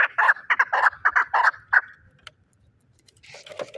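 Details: Chukar partridge kept as a fighting bird in Shahritus, Tajikistan: a quick burst of harsh chuk notes for about two seconds, then quiet with a faint other sound at the end.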